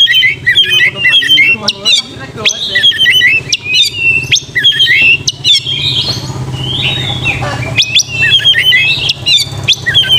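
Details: Oriental magpie-robin song played as a lure to provoke a fighting mood and tail-spreading in young birds; loud, varied whistled and chattering phrases with sharp notes in rapid bursts, briefly pausing near six seconds.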